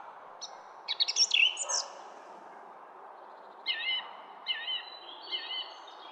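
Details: In a garden, a songbird delivers a loud jumbled burst of high chirps and twitters, then after a pause several sweet whistled notes rising and falling, over constant low background noise.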